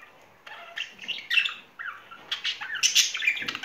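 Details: Pair of pet budgerigars courting in spring: quiet start, then rapid scratchy chirps and warbled notes in uneven bursts, growing busier and louder toward the end.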